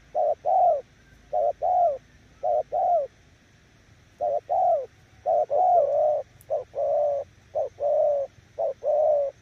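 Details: Spotted dove decoy bird from Kon Tum giving its cooing style, or nước gù. Low mellow two-part coos, a short note then a longer drawn-out one, repeated about once a second with a brief pause mid-clip.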